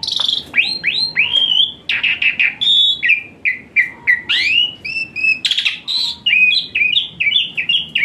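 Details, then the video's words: Varied song of an Asian pied starling (jalak suren) with many fill-ins and hot-shot phrases for a lazy-singing bird: upward-sweeping whistles, gravelly notes, and quick repeated chirps over about eight seconds. "Full Isian Mewah TEMBAKAN PANAS Khas Jalak Suren UNTUK TERAPI Jalak Suren Malas Bunyi Jadi Rajin"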